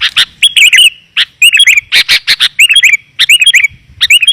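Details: Sooty-headed bulbul lure sound, clear and tightly packed, used to bring wild bulbuls down. An almost continuous run of loud bubbly warbles and quick liquid chirps, with only brief pauses.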